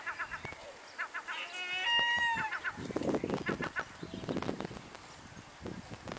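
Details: Gulls at feeding time at Bluestone, Pembrokeshire, Wales: quick series of short clucking notes, then a drawn-out wailing cry with clear stacked tones, amid splashing or rustling and busy background noise.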